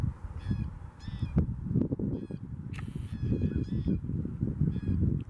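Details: Several Blue jays calling in Huron Natural Area, Kitchener: repeated harsh, nasal calls with stacked overtones, a few overlapping at times, set against a constant deep rumble and occasional knocks.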